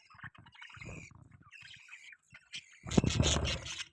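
Budgerigars chatter in quick, scratchy chirps and warbles, ending in a louder burst of busy twittering.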